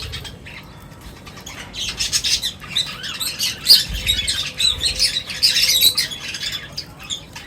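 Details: Birds at feeding time giving a busy chatter of short, scratchy chirps and squawks that swell in the middle, with a faint low thud.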